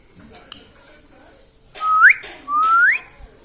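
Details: Pet parrot, said to talk and repeat words such as mithu, mummy and papa, gives two clear whistles. Each starts level and then sweeps sharply upward. A quiet pause comes first, with faint clicks and room noise.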